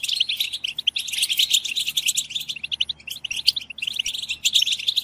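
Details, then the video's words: European goldfinches chattering in chorus to prompt goldfinches to sing; lively, ringing twitter of rapid high notes and buzzy trills, with a short pause just before three seconds. "اقوى بتبتة جماعية لتحفيز الحسون على التغريد"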